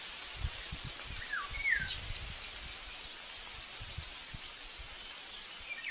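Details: Common buzzard chick at a nest in Tiszalök, Hungary, on May 5, 2024, acting aggressively during the breakfast feeding; a live nest camera picks up a falling, slurred whistle and a few soft, thin squeaks over steady outdoor noise.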